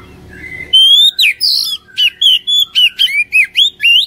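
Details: Oriental magpie-robin singing, played to prompt a caged bird to sing: a long rising whistle opens a loud, quick series of sweeping, slurred and chattering notes repeated several times a second.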